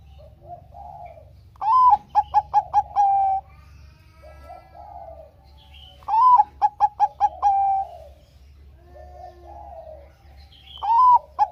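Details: Bangkok-type zebra dove singing, a lure to prompt reluctant doves to sing. Three phrases come about every four and a half seconds, each a rising coo, a quick run of staccato notes and a drawn-out coo, with soft low coos between.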